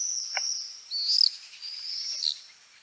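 Common swifts giving thin, shrill, drawn-out screams high in pitch, several overlapping streaks of sound lasting about a second each.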